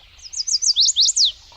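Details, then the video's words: A Chestnut-sided Warbler in the Maine woods around Cherryfield sings a quick, high series of about seven sweet, slurred notes, the last ones louder and emphatic, like "please please please to meet you". "so a chestnut side warbler says please please please to meet you"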